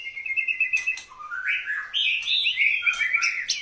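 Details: Courting white-rumped shama delivering a rapid, varied song of whistled trills and slurred phrases that climb and dip, with a few sharp clicks between notes.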